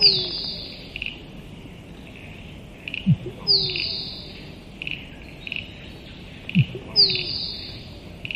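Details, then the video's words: Three rounds of a musk duck's soft low thud paired with a piercing whistle that falls in pitch, spaced roughly three and a half seconds apart, against a busy backdrop of insect-like chirps. "Musk Duck Sound"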